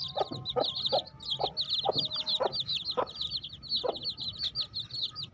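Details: Baby chicks keep up dense, high-pitched peeping chirps without pause, while lower clucking notes come roughly twice per second beneath them.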